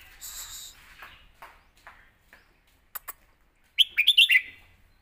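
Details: Caged red-whiskered bulbul giving a score-calling song used to train young birds: faint scattered notes, then a loud burst of quick, bubbly whistled notes near the end, with a few sharp clicks before it.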